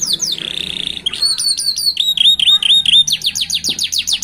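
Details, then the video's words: Young canary chicks singing by a roadside in a distinctive rhythm: a descending whistled slur, then rapid buzzy trills of sharply repeated notes, with bright rolling tours and a low hum beneath. "صوت فراخ الكناري يغني بإيقاع فريد من نوعه ، يبدأ في الجرأة على الغناء على جانب الطريق"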